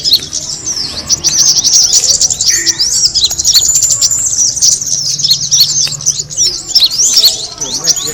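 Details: Kemade bird, its call used to draw birds in: a thick chorus of shrill chirps and quick slurred whistles, steady throughout, with a brief lower note near the third second and a faint hum.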